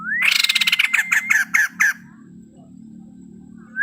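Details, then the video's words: Male white-crested laughingthrush giving a rising whistle that becomes a fast, pulsed chattering rattle, slowing into a few separate notes, then a pause and a new whistle starting; low hum behind. "burung poksay jambul putih gacor full isian"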